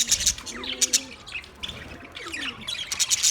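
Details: Budgerigars chirp in shrill, clipped notes and short warbled phrases, with thin sliding whistles between louder bursts.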